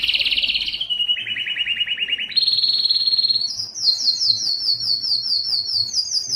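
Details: Canary song meant to stimulate males to sing: rapid trilled tours in steady blocks, a buzzy descending roll, then a low trill, a jump to a high sharp trill and quick high repeated chips.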